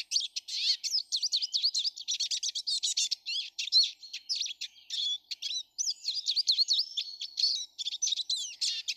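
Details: Many Eurasian siskins in a garden on 19 March 2013 twitter in a fast, unbroken stream of high chirps, slurred whistles and wheezy rising and falling notes.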